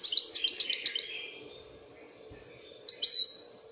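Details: European goldfinch, called royal goldfinch, twittering in a fast burst of bright, liquid, chirping notes for about a second, then a pause and a second short twittered phrase.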